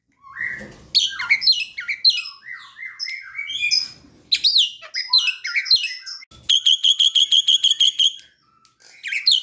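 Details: Asian pied starling youngster learning its song, a lure recording: long jumble of chattering, squeaky and whistled notes, then a rapid series of about twelve identical ringing notes before chatter resumes.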